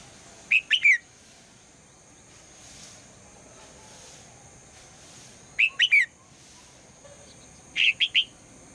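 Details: In the morning a female red-whiskered bulbul calls to get the male to sing: three short phrases of three or four bright, sliding whistled notes, spaced a few seconds apart, over a low steady hum.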